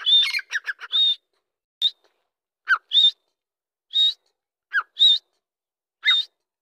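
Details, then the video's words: Dakkni grey francolin, said to be excited. A burst of harsh notes opens the recording, then separate short calls follow about once a second, each a sharp whistled note or a quick downward slur, with silence in between. "مست دکنی تیترآواز/Hot Dakkni Teetar ki Awaz"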